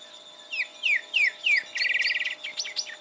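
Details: Greyish saltator, Esperanza, Santa Fe, Argentina, 2023: four descending slurred notes about a third of a second apart, then a fast buzzy trill and a few sharp high chirps, over a faint steady hum.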